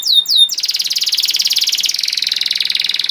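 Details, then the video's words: Canary song for training young birds: two falling slurs give way to a long, rapid, buzzy rolling trill of evenly pulsed notes that continues to the end. "KENARI GACOR PANJANG CENGKOK ISTIMEWA COCOK BUAT MASTERAN KENARI PAUD || VOICE OF CANARY"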